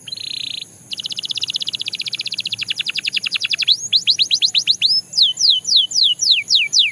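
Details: A Belgian canary gives a short buzzy burst and pauses. It then launches a rapid trill that gradually slows into separate falling and arching whistled notes.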